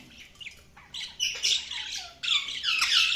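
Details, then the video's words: Budgerigar chatter that builds from soft, scattered chirps into dense, continuous scratchy warbling and squawks, with a low background hum throughout. "budgies chirping sound"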